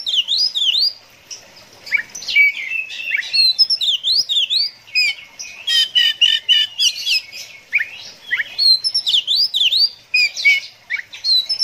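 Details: Kacer (Oriental magpie-robin) song in the konslet 'ngeplay adu mekanik' manner: crisp, sharply sliding whistled notes in lively bursts. Midway comes a rapid buzzy stutter, then more darting high phrases over a quiet background.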